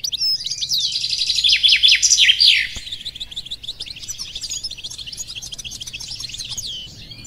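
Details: Goldfinch mule, 2018, in full song: a loud, rapid run of high twittering, slurred notes for nearly three seconds, then a softer continuous chatter of quick chirps to the end.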